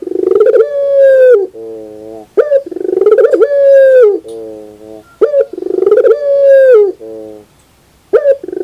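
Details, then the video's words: Puter pelung dove cooing in the morning: a rolling, trilled coo swelling into a long sustained tone that dips at its end, followed by a softer, lower coo, the phrase repeating about every three seconds. "the beauty of the sound of puter pelung in the morning"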